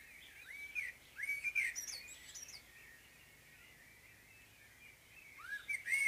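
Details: Morning song of a common blackbird: short fluted phrases with high squeaky flourishes early on, a long quiet gap, then another whistled phrase near the end.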